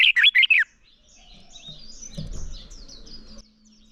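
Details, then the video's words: Short loud burst of red-whiskered bulbul fighting song, four quick warbled notes, followed by faint high twitters and a low rumble. "Chào Mào Hót Đấu - Kích Chào Mào Hót Sáng Luyện Giọng Bổi Hót Đấu Căng Lửa"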